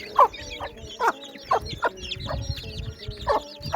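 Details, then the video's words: Baby chickens peeping as a group: many short, high, arched cheeps overlap in quick succession, with louder lower chirps about every half second, steady faint background tones and low thumping noise. "baby chicken sounds"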